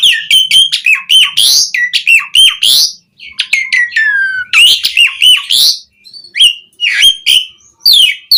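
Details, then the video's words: Asian pied starling singing a full, varied song as a lure for other starlings; dense bursts of squeaky whistles and rasping chatter, a long sliding falling whistle midway, then more clipped chirps. "Suara JALAK SUREN Gacor MATERI Full Mewah Cocok Buat Pancingan Burung Jalak Biar Cepat Bongkar Isian"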